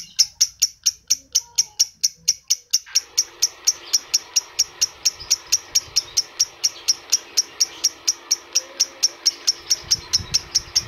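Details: Adult lovebird sound meant to stimulate other adult lovebirds: piercing high chirps repeat quickly and evenly, roughly four each second, while a steady background hum and hiss join in after about three seconds.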